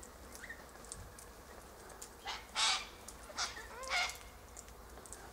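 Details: Sulphur-crested Cockatoos gathered in a silky oak tree, eating seeds from the pods; scattered raspy screeches rise out of a faint hiss, with a few thinner, rising squeaky notes between them.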